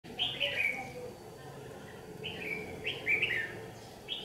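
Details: Red-whiskered bulbul used as a lure bird in a trap, singing competitively on a day of harsh sun, 8 July 2019, Vietnam: short warbled phrases near the top register, in bursts with gaps, over faint background hum.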